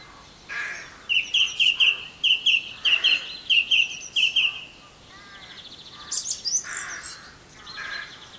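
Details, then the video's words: Campbeltown song thrush, April 2012, delivers a rapid run of identical sharp chipping notes, about a dozen in three seconds, then pauses before rougher, scratchy and higher squeaky phrases. "Song Thrush Singing"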